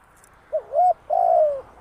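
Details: A single coo phrase from a spotted dove used as a trapping decoy: a brief wavering lead note, then a long smooth coo that sags gently at its end.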